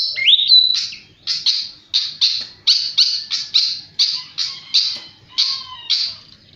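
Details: Actively singing flycatcher opening with a quick rising whistled slur, then a steady run of loud, scratchy chirps at roughly three-per-second pace, a low whistle briefly audible near the end.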